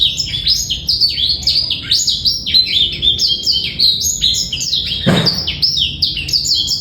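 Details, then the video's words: Tutor song of a male black-throated canary, clean and without a trill, for teaching young birds; lively stream of high, downward-sweeping chirps, briefly interrupted by a rushing noise burst near the fifth second. "PANCINGAN DAN MASTERAN BURUNG BLACKTHROAT"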